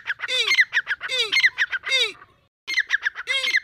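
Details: Deccani grey francolin in breeding season giving loud harsh rhythmic phrases, each a low arched note followed by rapid squawky clicks, repeating about every 0.8 seconds, with a brief pause before the calling resumes.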